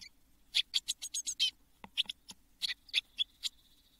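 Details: Seven Eurasian blue tit nestlings in a nest box near fledging time in June 2022 produce quick high-pitched squeaks in a rhythmic series, then a few low soft knocks, and finally a thin sustained whistle-like tone.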